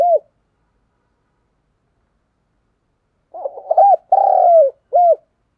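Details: Spotted dove decoy call meant to stimulate birds: one brief coo, a long pause, then a phrase of stuttered short coos, a longer falling coo and a final clipped coo, low and hollow.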